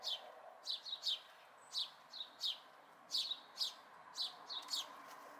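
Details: House sparrow fledglings in May 2020 give clusters of quick chirps, often two or three in rapid succession, then short pauses, high and bright against a quiet steady background.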